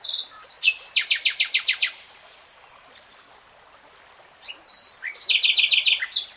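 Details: Common nightingale (Luscinia megarhynchos) singing in a forest setting: a loud rapid series of about eight harsh repeated notes, a pause with faint distant calls, then another fast repeated run of bright notes; a stream is faintly heard.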